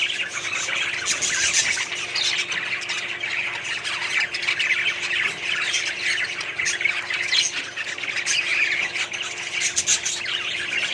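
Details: Budgerigars in a small colony setup, a dense continuous chatter of many overlapping squawks and warbling chirps, busy high-pitched calls with no pauses throughout.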